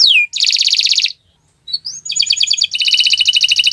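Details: On a Friday morning a canary delivers fast buzzy trills of high repeated notes, broken by a short pause and an upward slurred whistle, then resuming with another dense rolling trill.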